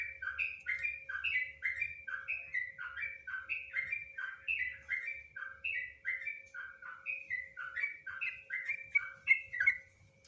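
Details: Sooty-headed bulbul singing a long, rapid 'nggaruda ngropel' style song: a continuous stream of bubbly, warbled two-note phrases repeated several times per second, with a faint steady hum and low rumble underneath.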